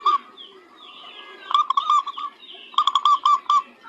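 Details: Local zebra dove singing in clear, ringing cooing notes delivered in two quick runs of about five notes each, with fainter notes and soft rustling in between.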